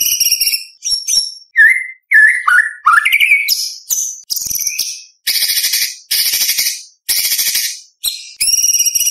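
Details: Murai batu, the white-rumped shama, performing a varied competition-style song: sliding whistled notes, then loud harsh buzzy phrases separated by short gaps.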